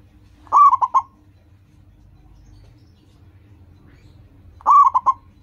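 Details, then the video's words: Local zebra dove in full song, a sound used to prompt other zebra doves to sing; two phrases of four quick rolling coos around mid pitch, spaced about four seconds apart, with faint low hum beneath. "Perkutut lokal gacor, suara seperti ini bagus sekali untuk melatih burung perkutut cepat bunyi."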